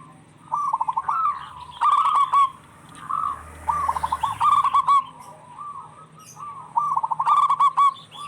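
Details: Zebra doves of a local strain singing back and forth, meant to coax stressed or silent doves into song; repeated phrases of a short stuttering trill ending in a fuller coo, about every two to three seconds.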